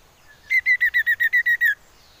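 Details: Common iora call recorded to lure other birds into singing: a steady run of nine evenly spaced, slightly downslurred whistled notes, about eight per second, on one pitch in a quiet setting.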